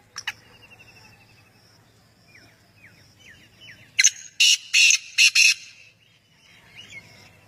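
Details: Male black francolin gives a loud harsh call of four grating notes in a rapid rhythmic phrase, preceded by softer bird chirps in the background.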